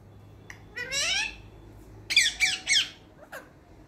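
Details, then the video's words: Pet talking green parrot indoors: a drawn-out rising, raspy cry, then three loud harsh squawks in quick succession and a short falling note, over low room hum. "Baat karne wala tota |Talking Green Parrot"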